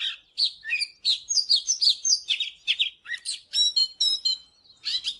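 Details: Oriental magpie-robin in morning song, used for training: bright slurred whistles and dry buzzy notes in quick phrases, ending in a few pure, ringing whistled tones before a short pause.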